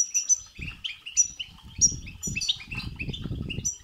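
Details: European goldfinch singing in the babtaba and sastasa styles, meant to excite a goldfinch into song: rapid twittering, tinkling phrases with high whistled notes, over low thumps and fluttering noises in the second half.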